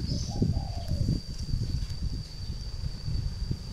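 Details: Soft, descending cooing phrase from a caged three-year-old decoy spotted dove in northern Vietnam, sounding early on, then low rumbling handling noise and a faint constant high insect whine.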